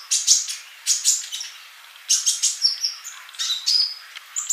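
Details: Sunbird tutor song for active singing: bursts of bright, very high chirps with a shimmering edge, several rapid notes running together, then thin sustained whistled tones near the end.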